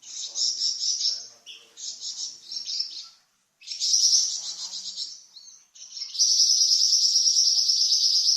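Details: Varied song of a kept Flamboyan bird, recorded as a master for training cucak ijo and magpie robin: high chattering phrases broken by pauses, ending in a loud steady buzzing trill.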